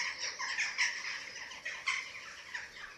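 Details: Eurasian eagle-owl nest in Germany during feeding, webcam recording of 27 March 2024: softer, rough hissing rasps repeated in quick succession, somewhat distant over a low background hum.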